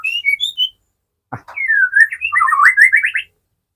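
White-rumped shama gives clear whistled notes, then a sharp click and a falling whistle that breaks into quick, rising, warbled phrases.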